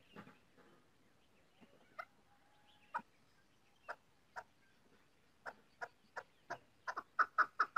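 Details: Female chukar partridge: scattered, spaced clucks with faint background rustle, then a quicker burst of sharp chuck notes closing the sequence, rising in volume.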